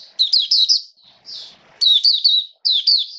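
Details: Oriental white-eye kept for song during rainy weather, giving two clusters of fast, high, wavering chirps split by a buzzy blurred note and a short pause.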